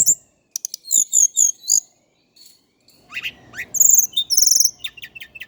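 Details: High, lively song of an Indigo flycatcher (tledekan gunung, Java): a run of quick repeated whistled notes, a pause, then rising slurs and buzzy trills, over a faint low rumble.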